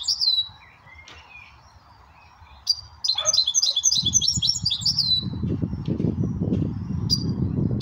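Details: A goldfinch x red hooded siskin hybrid sings a high, bright twittering song with a fast run of repeated chirpy notes in the middle, over a low rumbling, rustling noise in the second half.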